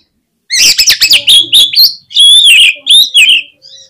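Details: Loud, continuous oriental magpie-robin song used to provoke rival birds to sing: quick staccato chirps leading into long, smooth, wavering whistles, bright and varied, with a soft final trill.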